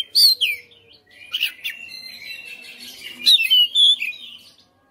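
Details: White-rumped shama, home-kept fighter in a cage, delivering varied song: a loud downslurred whistle opening, softer chattering mixture, then bright high whistled notes near the end.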